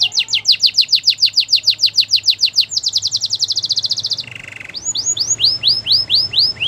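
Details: Canary training song: fast series of repeated falling chirps, about two per second and then quicker, a short lower buzz, then slower looping whistled notes.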